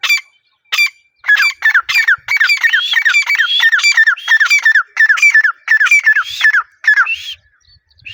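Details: Female grey francolin calling steadily. Rapid, squawky downward-slurred notes repeat in a dense series, several per second, with a few higher whistled notes mixed in.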